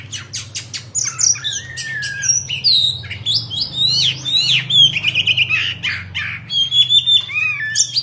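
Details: Oriental magpie-robin, kept as a cage bird, delivering a busy stream of sharp whistles, trills and slurred notes over a steady low hum, with clicking sounds early on.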